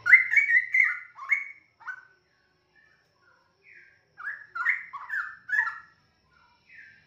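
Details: A 4.5-month-old straw-headed bulbul, one of a pair of nestmates from young wild parents, is learning to sing and gives two bursts of rich, bubbling, liquid warbled phrases about one and a half seconds apart.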